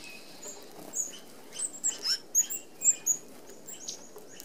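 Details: Flock of red-browed finches feeding at an open aviary feeder in Australia give thin, very high, piercing 'tseee' notes, about two a second, over a soft background of rustling and patter.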